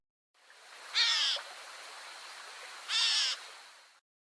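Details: Gray Catbirds mewing from dense shrubs at Spokane Bay near Helena, Montana, at midday in late August: two harsh, nasal, cat-like mews about two seconds apart over a faint, steady background hiss.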